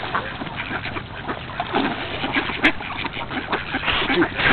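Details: Army of ducks crowding in at feeding time: a steady din of overlapping harsh quacks with splashing water and a sharp knock midway.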